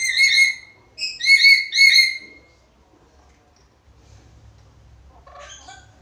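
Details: Black-capped lory, a lively singing captive talking bird kept as a master recording for teaching other birds; three loud clear whistles with ringing overtones, a long note then two quick paired ones, followed by quiet scratchy chatter near the end.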